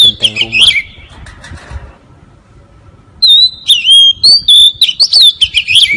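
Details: Oriental magpie-robin song used as a lure for catching birds: after a stretch of quieter, fainter sound, loud clear whistled phrases burst out, sliding and warbling, with short sharp notes between them.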